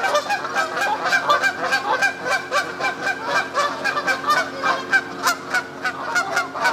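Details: Canada geese on the South Pond in Midhurst, West Sussex, England, a flock calling together: rapid, overlapping nasal honks repeated several times a second, uneven and chattering, with no clear pause throughout.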